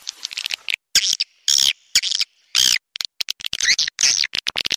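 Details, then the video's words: Swiftlet calling sound meant to draw swiftlets in: irregular clusters of sharp chirps and raspy twitters separated by short silences. "Suara panggil burung walet"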